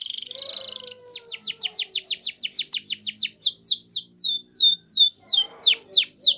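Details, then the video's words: Yellow canary in Spanish Timbrado training song. A short buzzy trill opens, followed by a steady run of about twenty quick descending whistled strokes that slow into louder, more spaced sweeping notes. A faint low background murmur is present. "Canary Bird Song For Training !! Yellow Canary"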